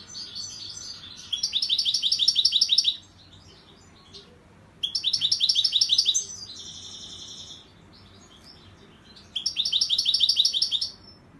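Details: Song of a European goldfinch later freed into the wild: three dense bursts of fast, tinkling, buzzy twitters lasting about one and a half seconds each, separated by quiet gaps, one with a nasal trilled note; steady low hum beneath.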